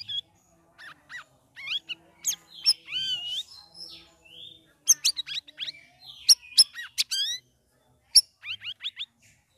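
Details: Sooty-headed bulbul in a cage after three weeks of group-hanging care, delivering a busy ngeriwik ngeplong song of warbled, bending whistles and quick chattering notes, then several sharp chirps.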